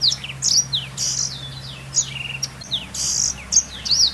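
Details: Blackthroat, sung as master song for canaries: dense high whistles and squeaky rising and falling slurs, some buzzy notes, coming in rapid succession with barely any gaps.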